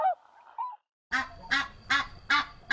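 A spoken word comes first, then a goose gives four loud, harsh, nasal honks in quick succession, about two or three per second.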